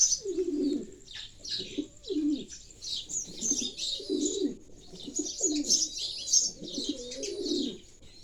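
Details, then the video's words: Pigeons cooing in low, throaty rolling bursts of about half a second, coming roughly every second, against a busy layer of high, thin sparrow chirps and twitters. "the sounds of pigeons"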